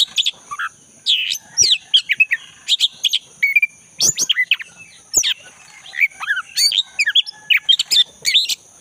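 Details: Black-breasted Oriental magpie-robin singing lustily in the forest: varied chirps, sharp upslurred notes and short warbled phrases in irregular clusters, over a steady high background hiss.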